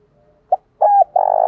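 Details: Spotted dove lure call meant to bring wild doves in quickly: a short clipped note, then a smooth two-part coo, then a long buzzy rolled coo, all mid-pitched and loud.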